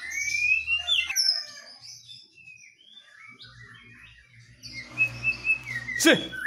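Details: Two white-rumped shamas, a Medan bird and a forest-caught Nias bird, duelling in song. Bright rising whistles and quick notes open the passage, then a quieter stretch, ending amid low humming noise and a sharp burst.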